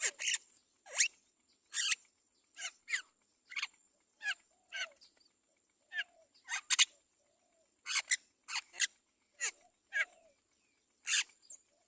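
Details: Mother Great myna carefully feeding her chick, which begs with a rapid, uneven run of about twenty harsh, scratchy rasps, often in pairs, some ending in brief lower squeaks, over a thin steady high whine.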